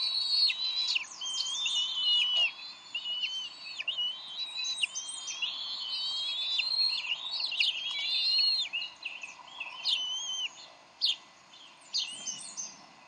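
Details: Bald eagles at the Decorah nest on 30 May 2012 during a fish handover, the pair briefly arguing. Busy high chittering and slurred whistles fill the first ten seconds, then thin out into scattered short notes.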